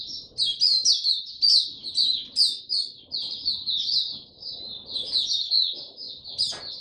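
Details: Singapore cage white-eye (Mata Puteh), 31 July 2023, starting to sing again; fast, high-pitched chattering warble in a continuous run with sharp accented chips, ending with a brief click-like sound.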